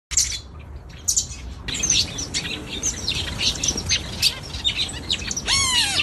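Young zebra finch giving quick, high chirps, ending in a nasal, harmonic call.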